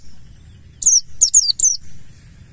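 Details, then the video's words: Wild-style (ngalas) mountain white-eye of the buxtoni form, used as a lure to set other white-eyes singing: a quick burst of three very high, thin notes, each sliding steeply downward, over a faint low hum. "Pancingan burung Pleci Buxtoni Ngalas"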